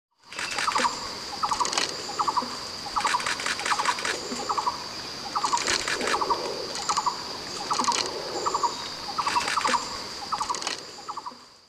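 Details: A rufous-necked hornbill at Latpanchar, Mahananda Wildlife Sanctuary, Darjeeling, gives short bursts of rapid, gobbling barks every second or two, over a steady high insect drone.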